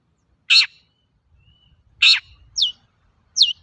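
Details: Long-tailed shrike singing as a lure for other shrikes: two loud, harsh rasps alternate with two sharp, high, downslurred notes, all spaced well apart.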